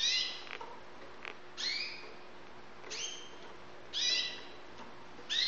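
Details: Young white Syrian canaries, high-grade birds kept in Saudi Arabia: bright, high, rising chirps with harmonics, each slurring upward, repeated roughly every one to one and a half seconds over faint background hiss.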